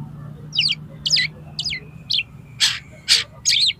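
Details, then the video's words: Oriental magpie-robin singing to challenge a rival kacer to fight, tail spread: short bright chirped phrases in separate bursts about every half second, with a faint steady low hum beneath. "KACER MUNTAH ISIAN !!! MENANTANG KACER LAIN AGAR MAU TARUNG BUKA EKOR"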